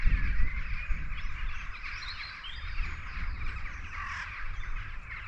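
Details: Rooks in a possible rookery near the River Stour, Sturminster Newton area, Dorset, on an early spring morning: harsh caws from many birds in a continuous, overlapping chorus with no steady rhythm, over strong low wind rumble.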